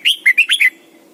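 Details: Caged lure red-whiskered bulbul singing in the morning, a wild-type double-note song used to train other bulbuls: one quick phrase of five loud, clear whistled notes, alternating up and down, over a faint low hum.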